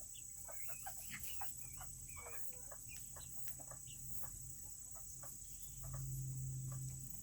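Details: Serama chickens, a very small breed, kept in a coop on a cool Tuesday. Soft clucks and brief chirps overlap through the first half, then thin out, leaving a steady low hum from equipment.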